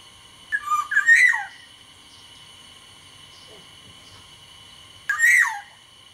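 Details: Black-naped oriole of the Sumbawa type in lively, active song: a loud fluty whistled phrase with sliding notes that ends in a downward swoop, then a second similar phrase about four seconds later, over a steady electrical hum.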